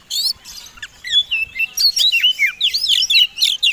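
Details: White-rumped shama fighting song, a combination used as a lure to provoke other birds into singing: rapid varied whistles, sharp upslurred and downslurred notes and chattering phrases, high-pitched and continuous.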